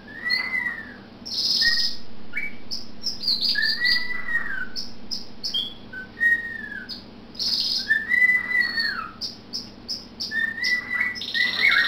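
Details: A pet cockatiel whistles long, wavering, wailing phrases while a pet canary adds bright, rapid chirps in duet, the two listening and reacting to each other.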